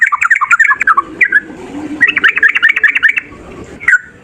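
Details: Fighting male yellow-vented bulbul, used to prompt other birds to answer, pours out quick rolling warbled phrases in two bursts, ending with a lone downslurred note.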